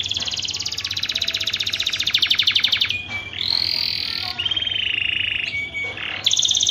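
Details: Canary mating song, used as a lure to stimulate other canaries: a dense, buzzy high trill for about three seconds, then steady whistled tones and a rolling trill, with a faint low hum behind.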